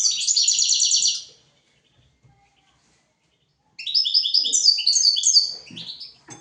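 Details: A European goldfinch song used for teaching young goldfinches and canaries: a rapid buzzy trill, a pause of over two seconds, then a lively run of tinkling, descending twittered phrases.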